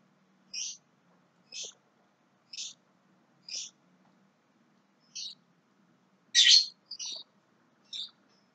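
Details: Young Javan myna giving short harsh, hissy notes about once a second, four in a row, then a pause and a louder grating burst followed by two shorter ones; quiet background.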